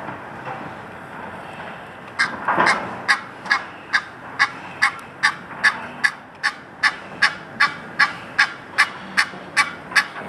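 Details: Egyptian goose at the Virginia Zoo calling repeatedly: a steady series of harsh, honking notes about twice per second for eight seconds, after a louder rasping burst; constant background rumble throughout.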